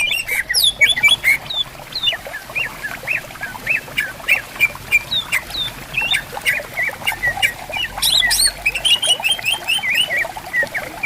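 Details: Greater green leafbirds answering each other in bamboo forest along a river. A long, busy run of whistled, chattering and upslurred notes gathers into a dense burst near the end, above a continuous trickle of water.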